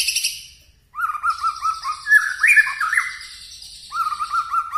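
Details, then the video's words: White-rumped shama: a run of quick, evenly spaced whistled notes swelling into varied warbling phrases, fading, then the quick whistled series starting again. "Murai batu nembak2 bikin kaget aje"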